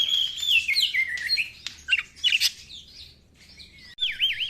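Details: Oriental magpie-robin song used as a lure for kept birds lacking fire: varied clear whistles, slurred downward notes and harsh chips, a pause, then a fast warbling trill at the end.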